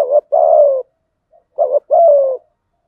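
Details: Spotted dove kept as a lure for catching wild doves, cooing insistently: two phrases, each a brief rough note then a fuller, slightly descending coo, clean and close with nothing else audible.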